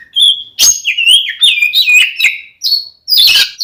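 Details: Oriental magpie-robin in full 'ngeplong' fighting song, used to provoke rival males to anger: loud rapid run of clear whistled phrases, sliding and warbling, broken by sharp chattery bursts and brief pauses.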